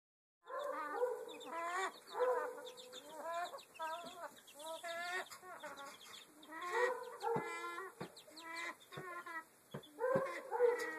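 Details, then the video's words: Chickens making strange noises: a busy run of rapid clucks, rising squeaky trills and drawn-out warbling calls from several birds, nearly continuous, with a few sharp knocks and faint background hiss. "Strange chicken noises"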